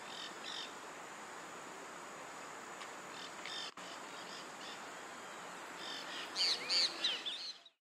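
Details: Cattle Tyrant (Machetornis rixosa rixosa) at Costanera Sur, Buenos Aires, Argentina, in March 2022, giving thin, high, squeaky chirps, faint at first, then a louder cluster of sharp notes near the end, over a steady background hiss.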